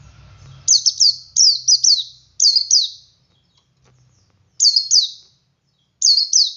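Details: A male Oriental white-eye sings ngalas to prompt other white-eyes to sing. Lively sequence of short phrases of two to three high, sharply dropping notes, with a pause midway.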